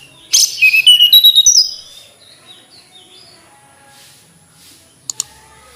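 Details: Flycatcher delivering a short, rapid song of about eight high whistled notes climbing in pitch, then near silence broken only by two faint clicks.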